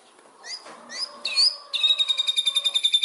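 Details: Indonesian white-rumped shama (murai batu) song used as a lure to get birds singing: thin high whistled notes, then a fast, even, pulsing trill of high notes repeated about twice a second.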